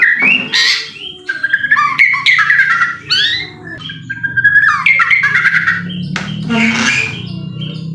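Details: White-rumped shama song played to provoke another bird into singing: varied rapid phrases mixing rasping squawks, sliding whistles and clicks, with short pauses, over a low background hum.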